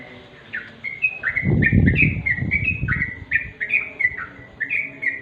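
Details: Sooty-headed bulbul recorded naturally at dusk: a run of short, bright, slurred whistled notes, each dipping then rising, repeated about four times a second, with a low rumbling thump underneath in the middle.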